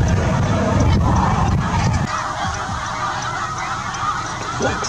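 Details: Snow geese on their southward journey with juveniles not yet fully white, near Winchester at dusk; many geese honk together in a busy, overlapping clamour, at first beneath heavy low rumble, then clearer as the rumble drops away.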